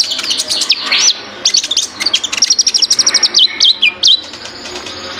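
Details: High, piercing Ninja sunbird song made of chattering notes and a rapid, wavering whistled trill that rises and falls, broken by short gaps.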